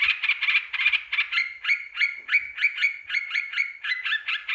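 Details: Provocation lure of a yellow-vented bulbul: a quick burst of chatter followed by evenly spaced, bright two-part chirps repeated roughly three times a second.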